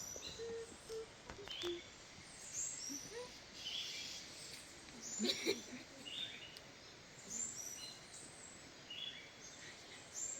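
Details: Unidentified birds singing in forest along the trail around Grand Étang lake, Guadeloupe, during a live hike; scattered high chirps and short whistled phrases from several birds over steady natural background hiss, with soft low sounds near the middle.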